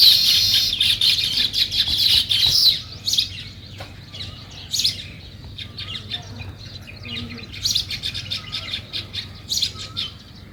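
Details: Sparrows chirping in the morning: a dense burst of overlapping high chirps for the first three seconds, then scattered short chirps and twitters, with a low background rumble.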